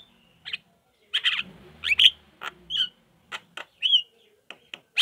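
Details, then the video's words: Javan myna chatter used as a lure to prompt lazy mynas to answer, a jumble of short harsh chirps and bright whistled notes around the upper mid-range, delivered in irregular bursts with brief gaps. "BUKTIKAN dengan sekali pancing jalak malas bunyi langsung nyaut respon dengar ocehan jalak kebo ini"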